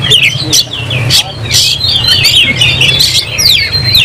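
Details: Oriental magpie-robin in fighting mood, tail fanned, pours out fast, varied song: bright whistled slurs, quick trills and clicking notes, over a low background rumble.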